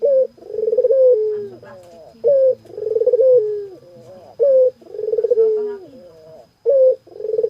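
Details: Energetic dove cooing: a short high note snaps into a rolling, tremulous coo that slides lower, followed by quieter trailing notes. Phrases come roughly every two seconds in a quiet indoor setting.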